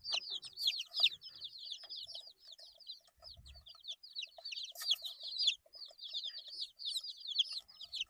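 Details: Eight-day-old chicks cheeping in a steady, overlapping stream of high downslurred peeps, with a couple of louder bursts and a faint low thud.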